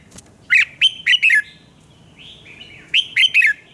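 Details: Red-whiskered bulbul singing in the morning: a four-note phrase of loud, ringing, downward-slurred whistles, a soft drawn-out whistle, then a matching three-note phrase.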